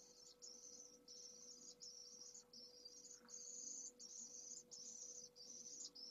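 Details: Pallid swift (Apus pallidus) chick only hours old, from a second clutch in a nest at Jerez de la Frontera, Spain, late May 2022, begs vigorously during its first feedings: high, buzzy, wheezing half-second bursts with brief breaks, over a steady low mechanical hum.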